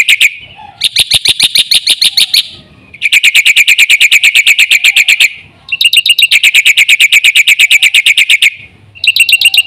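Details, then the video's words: Loud, insistent 'gacor full isian' chatter from a black-winged myna: sustained runs of fast, ringing high-pitched notes repeated about three per second, separated by brief gaps. "suara jalak putih gacor full isian"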